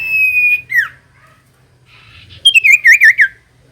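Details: Common iora song played to stir reluctant birds to sing: a long steady whistle and a falling slur, then a quick wavering run of six bright, up-and-down whistled notes.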